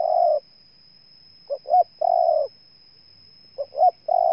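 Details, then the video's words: Spotted dove from Ninh Thuận, Vietnam, giving its coo: two short rising notes followed by a long, level, slightly buzzy coo, the phrase repeated about every two seconds in a quiet setting. "Cu Gáy Ninh Thuận"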